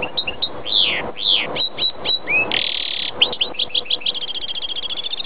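A goldfinch-greenfinch hybrid sings a quick, high twittering run of liquid notes. A harsh nasal wheeze breaks the flow, and a rapid repeated trill finishes the phrase.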